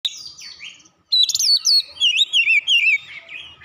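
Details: Oriental magpie-robin (kacer) singing with mimicked Java sparrow (gelatik batu) phrases: a varied run of loud whistled, wavering notes, some sliding downward, in quick bursts after a brief pause.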